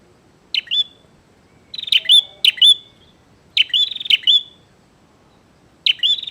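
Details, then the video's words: Bar-winged prinia singing lively to challenge a rival to fight: sharp high chirps, each with a buzzy rattling tail, given in quick paired bursts about every second, with quiet gaps between bursts and a faint low background hum. "SUARA BURUNG PRENJAK GACOR NGAJAK TARUNG"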